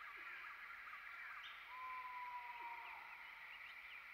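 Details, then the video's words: Asian fairy-bluebird in the wild in its natural habitat: one long, steady, clear whistle held for over a second, over a dense, constant buzzing chorus of insects and scattered faint chirps from other birds. "KEHIDUPAN BURUNG CUCAK BIRU DI ALAM HABITATNYA"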